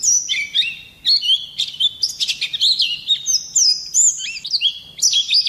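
An Oriental white-eye sings a rapid, high, unbroken run of sweet twittering and sharp, shrill notes, with no pauses and no other sounds.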